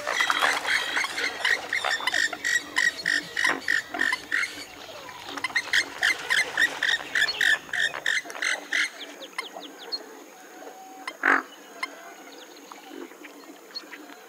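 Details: Western swamphen giving a fast stream of clipped, harsh, nasal notes for about eight seconds. After that come sparser, quieter calls and a single loud squawk.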